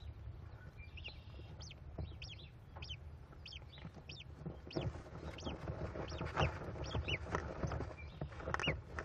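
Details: Five hungry American kestrel chicks at a Cornell nest on 18 May 2021, begging while their mother feeds them leftover rodent: thin, high, paired chittering notes repeated about once a second, over low rustling and shuffling.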